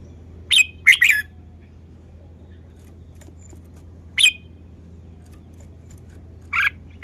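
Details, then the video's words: Red-whiskered bulbul showing off its song style: a brief pair of sharp, chirpy warbled notes, then single chirps spaced several seconds apart over a faint low hum. "นกกรงหัวจุก จ้าวมารวย"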